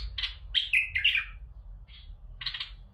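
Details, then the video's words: Bulbul song played to stimulate other bulbuls to sing: bright, warbled whistled phrases, some fluty, in short bursts over about three seconds, with a pause before a final buzzy chirping burst and a low background hum. "سمعة للبلابل وشوف تغريد للتخفيز البلابل"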